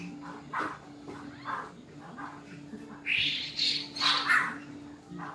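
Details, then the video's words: A black-throated laughingthrush gives soft mellow notes, then bursts into loud, harsh, ringing phrases in its fighting song, over a steady low electrical hum. "Khưu mun hót đấu"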